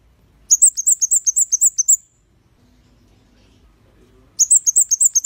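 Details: Red-headed bunting used as a song tutor for cage birds: a rattling burst of high, piercing chirps, a long silent pause, then another burst beginning.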